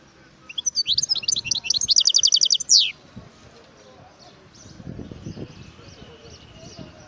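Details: Wild European goldfinch delivering a quick run of high twittering notes ending in a sharp descending slur, then a fainter distant twitter and soft low murmuring noise.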